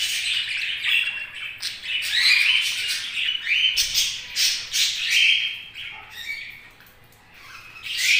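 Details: Pet budgerigars keep up rapid, scratchy chirps and twittering squeaks, a dense jumble of short notes that fades near the end before swelling again.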